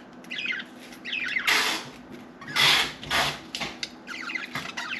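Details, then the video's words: Pet budgerigar chattering as if trying to talk, with bursts of scratchy, broadband squawks and short warbled notes between quieter gaps. "Budgie Sally Bird Wants to Talk"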